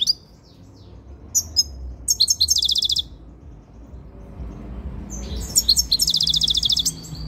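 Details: A very tame European goldfinch coming into breeding condition, singing close to the camera: bursts of rapid, high, tinkling twittered notes in fast trills, a pause near the middle, then another lively twittering phrase.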